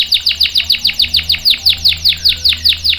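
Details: Canary song used to lure and train young males: a loud run of rapid, downward-swept whistled notes, about seven per second, high and bright, with a faint low hum beneath.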